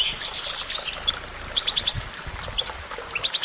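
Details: Goldfinch twitter opening with a loud tinkling burst, followed by sparse high chirps, a thin sustained whistle and closing runs of quick repeated tweets.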